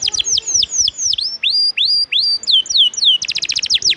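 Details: Canary song for tutoring contest birds, made of loud whistled slurs that swoop down and up one after another, ending in a quick burst of sharp repeated notes.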